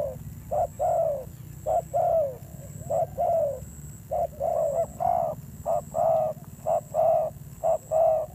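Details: Spotted dove with a fierce call, wild-caught, producing a steady string of low hollow coos, short notes alternating with longer slurred ones, a dozen or more phrases in quick succession, a faint pulsing high tone in the background.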